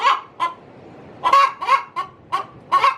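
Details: Pre-laying hen in her coop giving loud, harsh clucks: two, a pause, then a rapid run of five.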